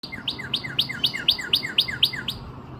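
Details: Northern cardinal near Nashville, Tennessee, recorded April 17, 2026, singing a quick series of about ten clear two-part whistled notes, each sliding sharply downward, repeated roughly four times a second against a soft low background hum.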